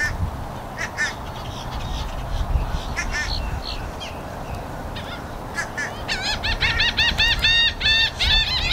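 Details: Seagulls and black-headed gulls yelling, recorded with a stereo camera microphone: scattered short yelps early on, then a rapid series of harsh, rising-and-falling laughing calls near the end over a steady low rumble of wind or surf.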